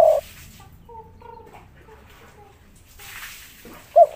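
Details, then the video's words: Spotted dove, called tekukur, cooing in the kuk 3 style while agitated on a roof tiles: short clear low notes at start and end, with faint softer tones between and light background hiss. "derkuku tekukur kuk 3 ngamuk diatas genteng suara merdu dan langka"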